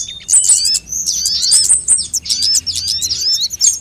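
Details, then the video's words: Sunbird lure sound meant to trick birds into calling: high-pitched squeaky twitters and quick chirp runs, rising and falling notes packed tightly together without pause. "suara pikat semua jenis burung kolibri"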